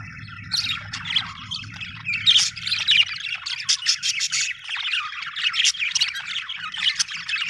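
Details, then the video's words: Budgerigars in a happy mood give continuous chattering warbles mixed with harsh squawky notes and high chirps, running almost without pause; a low hum fades out partway through. "happy budgie chirping sound"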